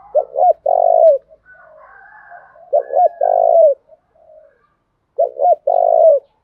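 Spotted dove cooing, a low hooting phrase of a quick double note then a longer coo, given three times about every two and a half seconds.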